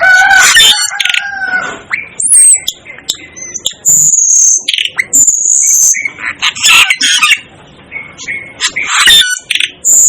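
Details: Asian glossy starling, the so-called 'devil' bird, repeating loud squawking calls and long thin high whistles, with sharp chirps scattered between, fairly continuous throughout.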